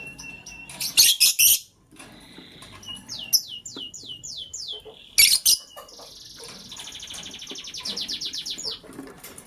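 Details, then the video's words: Green lovebird chirping in the morning as a blue lovebird scrambles for vegetables; loud harsh bursts, a series of about six descending chirps, another harsh burst, then a fast even trill of short repeated notes. "Green LoveBird Chirping Sound"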